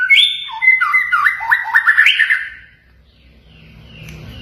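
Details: White-rumped shama training song with mimicked phrases imitating cililin, canary, konin and katem; a fast string of looping whistled notes for two and a half seconds, then fading to faint sounds.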